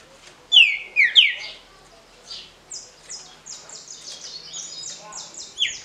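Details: Green-winged saltator in the short smooth Paraná song style ('canto pra roda'): three strong falling whistled notes close together, then a quieter stretch of thin, high, repeated chirps.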